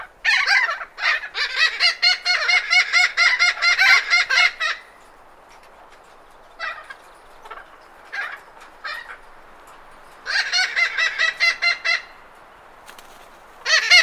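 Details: Thick-billed parrots in Arizona giving alarm and contact calls: rapid bursts of loud, grating squawks repeated about twice a second for several seconds, a quiet gap with scattered notes, then another harsh burst. Light wind behind.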